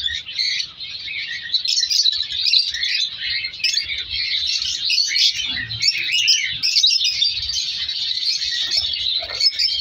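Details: Many caged color lovebirds in a breeding colony keep up a steady, overlapping stream of shrill chirps and squeaky twitters, with brief soft thumps from the aviary.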